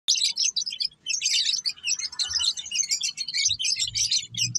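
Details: Java sparrow calling: a dense, continuous stream of high, thin chirps and twittering notes with only brief pauses, with faint low thumps beneath.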